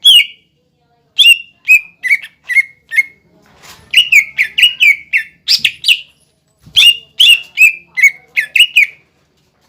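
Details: Cucak ijo lure song for provoking young and group-kept birds into singing: sharp, descending whistled phrases in several runs, some notes fast and clustered, separated by short silences.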